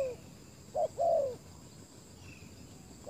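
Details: Spotted dove used as a decoy to lure wild doves; two brief low coos, the second longer and gently falling, then a quiet pause with faint background hiss.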